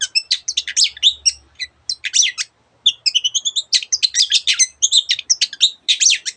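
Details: Cendet, the Long-tailed shrike, pours out a varied song imitating other birds: bursts of scratchy chatter and twittering with a short pause near the middle, and a faint low hum beneath.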